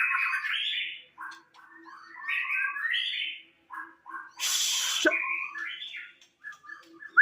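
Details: White-rumped shama, a caged bird described as moulting, singing a continuous varied run of rich whistled and warbled phrases that rise and fall, broken by one harsh rasping burst midway.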